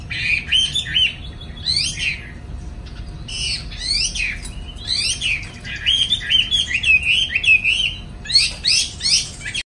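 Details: Afternoon singing from a caged Chinese hwamei in Hanoi, Vietnam, spreading its wings: loud, piercing downward-sweeping whistles in bursts, mixed with rapid warbled phrases and short pauses between.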